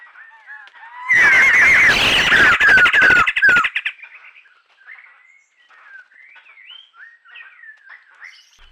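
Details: Laughingthrushes at a forest pool in Huai Khayeng Nature Park, dry season, February 2025, burst into a loud cackling "laughing" chorus of harsh chattering notes for about two and a half seconds, followed by scattered soft rising whistles.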